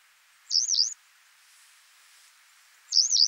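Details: High, thin, wavering call of a Western yellow wagtail recorded in France, given twice about two and a half seconds apart, each a buzzy, slurred note lasting under half a second.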